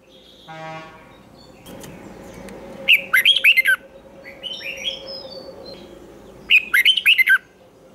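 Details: Red-whiskered bulbul trained for competitive singing: after a brief buzzy tone and clicks, two quick bursts of rolling, twisted whistled notes, with a steady low hum behind.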